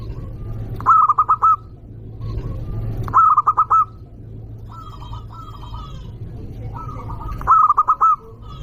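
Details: Local zebra dove, a loud, actively singing bird used as a lure to provoke rivals, giving three bright cooing phrases of four or five quick tonal notes, each ending in a held coo, spaced about three seconds apart over faint background cooing and a low hum.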